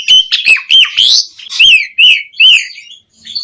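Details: Asian pied starling song, used as a stimulus for caged birds: repeated clear, slurred whistles about twice a second, interleaved with grating buzzy notes, ending in a short pause.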